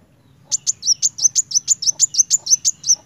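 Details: Kolibri wulung sunbird singing in lively 'gacor narung' style: a rapid run of about fifteen sharp, high, thin chirps, roughly six per second, each with a slight downward flick, over faint low background hum.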